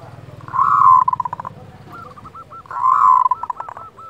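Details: Local zebra dove giving a kerot call, used to raise breeding desire and emotion in other doves: two loud, rolling coos, each ending in a rapid stutter of pulses, with short hooked notes repeated between them.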